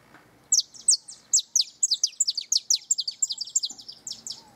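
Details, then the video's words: Canary singing near its nest: a fast, high-pitched run of sharp, descending chirps and trilled notes, delivered in quick succession, loud and clear against a quiet background with faint low murmur. "O canto do Canário perto do ninho"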